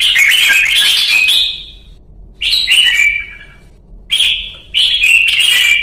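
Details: Red-whiskered bulbul luyện ché training song from Vietnam: a long, bubbly warbled phrase, a pause, then shorter clear whistles with a falling, buzzy ending, and more phrases after another gap.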